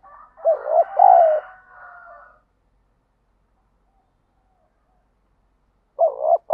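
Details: Spotted dove cooing as part of daily lure training to provoke fighting: a hoarse two-part coo trailing into a soft drawn note, then silence and the start of another coo.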